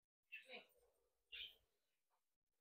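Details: Young budgerigars from a home brood give two brief, scratchy, high-pitched chirps about a second apart, with a faint squeak after them, in a quiet room.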